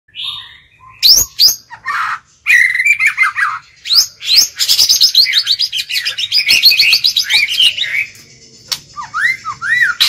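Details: White-rumped shama decoy bird singing to lure wild birds, a rich, varied song of bright whistles and rapid chattering trills, phrases tumbling quickly one after another, with sharper clicks and rasps between.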